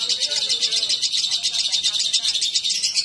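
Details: After a male and female lovebird meet, rapid high twittering pours out continuously, thin and scratchy, with a few faint lower sounds near the start.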